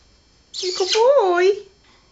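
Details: Red-lored amazon parrot copies sounds a girl is making: one sustained, harmonic vocal sound that rises and falls in pitch, about a second long, in a quiet home.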